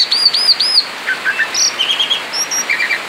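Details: Male Asian pied starling out of the cage in ngerol song: three arched whistled notes in quick succession, followed by lower buzzy warbles and high thin whistles.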